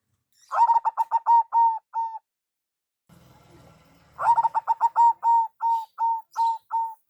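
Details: Zebra dove of local stock calling to lure others: a fast run of coos easing into slower, clear notes, a short gap with low murmuring noise, then a second, longer phrase ending in evenly spaced coos.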